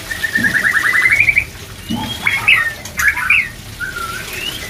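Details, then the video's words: White-rumped shama, song used to raise breeding drive: a fast rising trill of repeated notes, then separate bright whistles, a slurred phrase and a soft falling whistle. "CEPAT BIRAHI‼️BANYAK MURAI BATU CEPAT PRODUKSI‼️DENGAN TERAPI MENAIKAN BIRAHI MURAI BATU INI"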